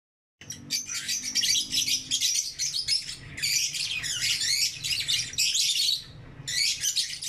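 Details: Lovebirds in the morning chatter in a steady stream of shrill, high chirps and squeaky twitters with barely a pause, over a faint low hum.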